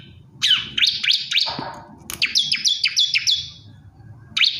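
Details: Male bar-winged prinia calling to a female, giving quick high chirps, a brief lower buzzy sweep, then a run of five evenly spaced, sharp downslurred notes and a final chirp, with soft low background hum.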